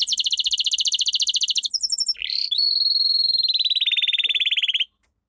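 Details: Domestic canary training song: a loud rapid trill of repeated notes, a brief higher trill, a swooping note, then a long rolling trill that slowly drops in pitch before stopping.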